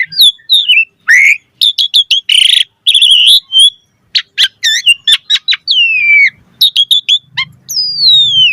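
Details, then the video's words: Chatty Asian pied starling song packed with fill phrases, played as a lure to set other starlings singing: rapid clicks, buzzy bursts and sharp chirps, ending in long, clear whistles sliding steeply downward. "Suara Jalak Suren Gacor Full Isian Auto Respon buat Pancingan Burung Jalak Agar Gacor Isian Mewah"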